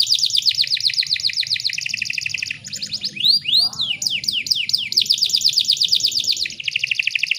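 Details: Female canary used as a lure so males start singing: fast, high rolling trills of repeated notes in several phrases of different tempo, with slower sweeping whistled notes in the middle, over a quiet low hum.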